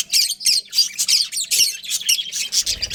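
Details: Breeding pair of pet budgies giving a dense, continuous stream of high, buzzy chirps and harsh squawks, tightly packed, with a brief low thump near the end.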